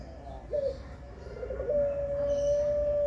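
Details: Puter pelung style cooing in Indonesia: after a short clipped note, a long, steady, drawn-out whistled coo holds one low pitch for over a second, over faint background hum.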